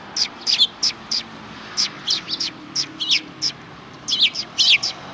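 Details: Sparrows near a Tenmangu shrine on 13 December 2019 chirp busily: loud, clipped high notes in quick succession, some doubled or twittering, several birds calling together.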